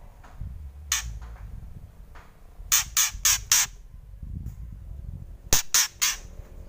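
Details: A white-rumped shama bursts into harsh crackling kretekan, rapid runs of three or four rasping notes, over steady low rumbling background noise.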